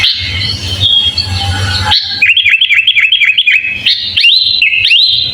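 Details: Kutilang, sooty-headed bulbul, in a full varied song used as a master recording for training other birds: a rapid run of repeated bright chirps dipping and rising, then looping whistled notes, preceded by a burst of harsh noisy sound.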